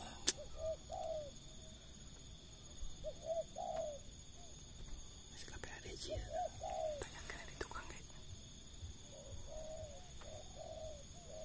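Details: A spotted dove at about 5 pm after rain gives soft, low, hollow coos in short phrases every two to three seconds, with quiet human speech and a steady high insect hum behind.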